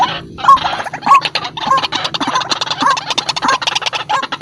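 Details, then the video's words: White-breasted waterhen in full voice, recorded as a lure for trapping: dense, harsh, repeated croaking notes around a clucking middle pitch, overlapping in a rapid, uneven chorus with little pause throughout. "BURUNG RUAK RUAK GACOR || SUARA PIKAT RUAK RUAK"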